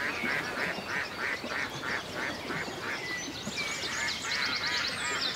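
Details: Ducks on a lake in the countryside, quacking in a fairly regular run of about three per second for the first three seconds, while many small songbirds twitter and whistle at higher pitch throughout.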